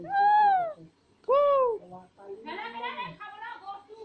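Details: Green Alexandrine parakeet, one of two pets dancing and talking, gives two loud arched whistled calls rising and falling, then a rougher muttered speech-like phrase.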